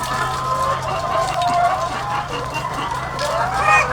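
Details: Thousands of egg-laying hens on a farm forming a dense, continuous chorus of overlapping clucks and squawks, with a steady low mechanical hum underneath throughout.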